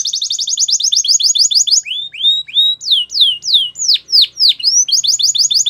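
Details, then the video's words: Song of a Belgian canary, opening with a quick rattling trill of bright notes, shifting to slower sweeping downward whistles about three a second, then returning to the fast trill. "Nature Birds Sound Of Canary | Belgian Canary Singing"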